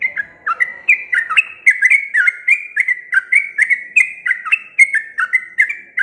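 A Sooty-headed Bulbul sings a long, unbroken run of bright, bubbly whistled notes, about three each second, each note rising then dropping in pitch.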